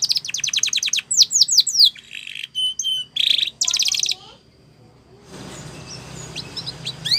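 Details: Spanish Timbrado canary training song: rapid trilled notes, a few sweeping whistles and a brief buzzy roll for about four seconds, then quieter background with faint distant chirps.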